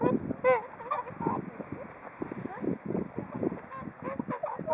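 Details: Whooper swans in a flock awaiting food at Hakuchodai Sebat on Onuma and Konuma lakes, Japan, giving rapid overlapping trumpeting honks and short nasal notes, busy and continuous.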